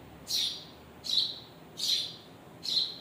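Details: Birds, parents with their chicks, chirping: four short bright chirps, each a quick downward sweep, spaced under a second apart over a faint steady background hiss.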